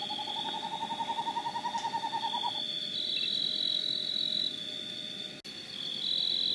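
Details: Santa Marta screech-owl in the Sierra Nevada de Santa Marta, Colombia, 2012, gives a quick, even trill of about 25 mellow hoots in under three seconds, rising slightly, over a steady high whine of insects.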